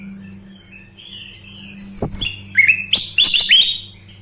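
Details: Sooty-headed bulbul singing vigorously, a soft thin whistle followed by a click, then loud, rapid whistled notes that climb upward, over a steady low hum.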